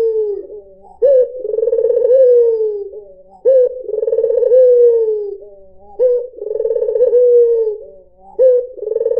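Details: White Barbary dove (puter putih) cooing in a lure recording: a sharp rising note leads into a long rolling, purring coo that slides down at the end, repeated about every two and a half seconds, four times, with no other sounds.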